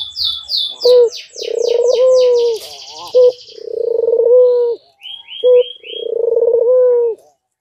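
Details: Courting white dove, nodding as it calls: a pair of drawn-out purring coos, each ending in a falling tone and separated by a brief sharp note, over a busy backdrop of high chirping songbirds.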